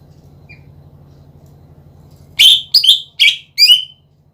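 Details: Cucak ijo, greater green leafbird, lure song: after nearly two and a half seconds of low hum, four loud separate chirped notes, slightly rising and falling.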